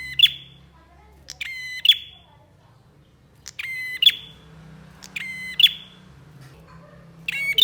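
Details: Energetic 'gacor' bar-winged prinia repeating short, piercing, high metallic bursts roughly every one to two seconds. Each burst is a rapid clicking rattle ending in a sharp chip, over a faint low background hum.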